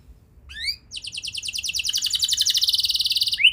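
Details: Canary singing as a trigger for young birds: two rising slurred notes, then a long fast buzzy trill of tightly repeated high notes, closing on a sharp rising whistle.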